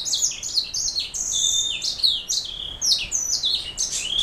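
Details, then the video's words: Black throat mule, canary hybrid, in continuous song: high sweet whistles and quick chirps alternating, many notes sliding down in pitch, delivered steadily with no real break. "Black throat mule"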